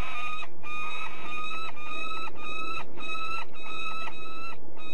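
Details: Rapid chattering series from a peregrine falcon at De Mortel, Netherlands: harsh nasal notes, about two per second, continuing steadily over a low rumbling background.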